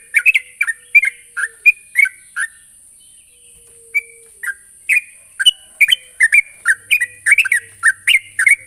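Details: Calls of a sooty-headed bulbul aimed at a rival: clipped descending chirps in small groups, a quiet gap around three seconds, then denser repeated notes, with continuous high hiss in the background.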